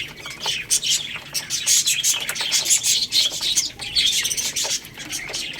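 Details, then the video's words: Many baby chicks chirp together while eating rice: shrill, overlapping tweets rise and fall in loudness, broken by crisp clicks. "Crazy Little Chicks Eating Rice | Cute Baby Chicken Chirping Sounds"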